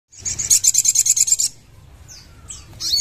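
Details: Sogon song: a fast burst of about ten sharp high notes at an even beat, then a silent gap broken by a few thin down-slurred and rising whistles.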